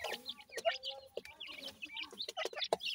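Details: Feeding grey francolin chicks give rapid high cheeps and small chirps, some clear whistled notes, mixed with soft clucks and scattered clicking pecks.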